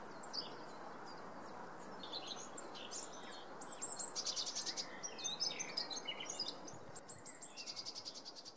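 A male Eurasian blackcap gives bursts of rapid, hard ticking notes among high chirps and warbles from other birds, over a steady rushing background.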